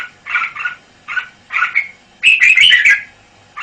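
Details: Red-whiskered bulbul, a caged male, with soft double chatter notes followed by a loud, rich, rolling warbled phrase.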